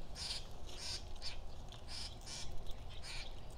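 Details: Two Nanday conures (black-hooded parakeets) visiting a backyard bird feeder in Nokomis, Florida give harsh, high screeching squawks, about two each second in short bursts, over a steady low rumble.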